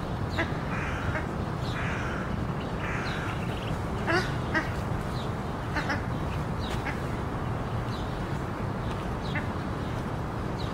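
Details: Ruddy shelducks with ducklings give nasal, honking calls in short irregular bursts over a steady low rumble of wind or water.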